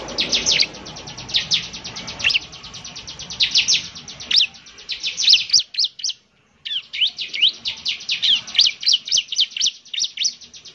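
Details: Bar-winged prinia singing eagerly as a lure: long bursts of very rapid, high, ticking notes mixed with sharp downslurs, broken by a short pause, then a fast trill-like run again.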